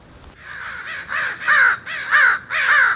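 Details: Murder of crows near a backyard, filmed through a window: five loud, drawn-out, raspy caws in close succession, each slightly rising and falling, over faint background hiss.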